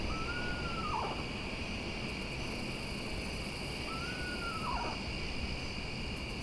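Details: Eastern screech-owl at night, very close though it first seems distant, after flying over along a trail, gives two quavering whinnying songs about four seconds apart, each a high note falling into a shaky trill, over a steady hum of night insects.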